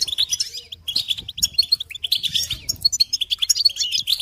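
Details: High, quick goldfinch chirps and twitters used to teach chicks and songbirds, mostly short, separate bright notes strung closely together with a few buzzy trills.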